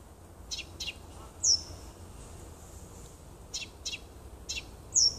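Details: Nightingale singing in a little wood near a house on 30 June 2015: sparse soft clicks and two loud high down-slurred whistles about three and a half seconds apart.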